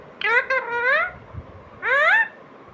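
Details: Talking pet parrot producing two bursts of speech-like sound. The first is longer with several bending syllables, followed by a pause, then a brief rising phrase. A faint low thump sounds in between.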